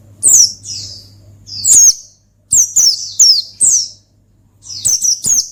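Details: High, sharp, downward-sweeping chirps from an Oriental white-eye singing in ngalas style to challenge a rival, delivered singly and in tight groups of three to four, with gaps of silence and a faint background hum.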